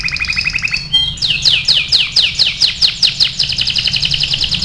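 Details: Canary of AF type in tutoring song: a short buzzy phrase gives way to a regular string of bright downward-swept whistles, steady and loud, over faint hum.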